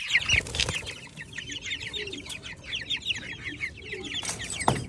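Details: Indonesian Ayam Cemani chickens give a dense chorus of short, high peeping chirps over soft low clucks.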